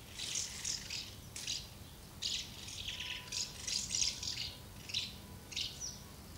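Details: Many house martins gathered at two nests, feeding young and flying out, recorded 24 August 2012; a steady run of dry, rattling chirps in short bursts, several birds overlapping, with quiet background.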